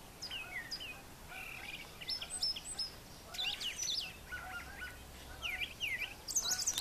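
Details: Brown thrasher singing in the morning near brushy nesting areas on a farm yard: a varied run of short phrases, some whistled and slurred, some buzzy and chattering, several phrases given in quick pairs, over steady low background noise.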